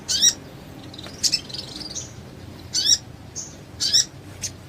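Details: Sogon (mountain tailorbird) singing for training other sogons: sharp, very high, scratchy bursts roughly once a second, with faint thin whistles between them.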